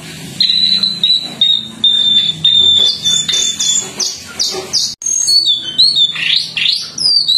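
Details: Jongkangan singing for training other songbirds to copy: a run of sustained piercing high whistles in a slow descending line, broken by rapid scratchy bursts and looping rising-falling slurs, over faint low background noise.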